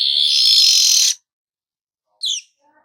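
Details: Weaver singing 'nyerut': a loud, steady, sizzling buzz of about a second, followed after a pause by one short, high, falling chirp and faint low notes.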